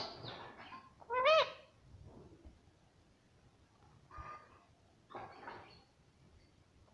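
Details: Talking pet parrot, said to repeat "mummy papa" and to be very happy today: one loud, rising, nasal utterance, with softer voice-like fragments before and after and quiet gaps between.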